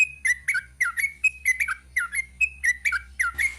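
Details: Sooty-headed bulbul pouring out long 'ropel' song as evenly spaced, bubbling two-note whistled phrases, falling then rising, around three each second, with a low steady hum beneath.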